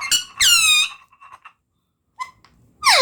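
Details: Talking parrot giving squeaky, harmonic-rich vocal bursts: two loud sweeping notes early, soft fragments, then a sharp descending squeak at the end after a quiet gap.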